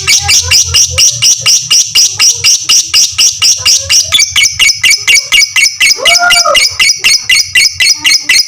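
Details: Fighter lovebird giving a long ngekek song used as a training model for other lovebirds: rapid harsh chattering notes repeated about twice a second, high and buzzy, steady throughout, with a faint low hum beneath.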